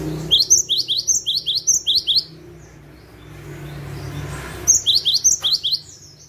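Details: A cinereous tit, a lively singer used as a lure call, gives quick bursts of sharp, high notes, about five per second, pauses, then repeats the series, over a faint low hum.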